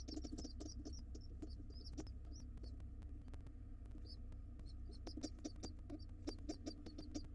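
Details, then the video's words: Hungry wild pigeon nestlings begging for food when the father comes home to the nest box, giving rapid, high, squeaky peeps in quick runs over a steady low hum and scattered clicks. "Pigeon nestlings are hungry!!!!! Dad comes home and the babies want to be fed fast."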